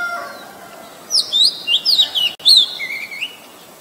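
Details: A short phrase from an Oriental magpie-robin, a very common resident of Ubon Ratchathani, Thailand, recorded with a Nikon P1000 on 23 December 2019: about six quick, high, looping whistles followed by a lower, drawn-out note.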